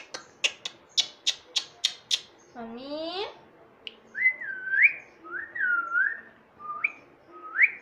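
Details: Talking Indian ringneck parakeet mimicking "mummy": a series of sharp clicks, a drawn-out wavering squawk, then several clear whistled notes rising and falling, some ending in upward sweeps.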